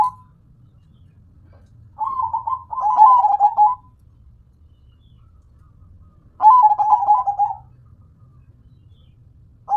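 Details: Perkutut, a local zebra dove in full song (manggung): two rolling, bubbling coo phrases about four seconds apart, each a quick stutter of notes falling then levelling, separated by quiet with a soft low hum.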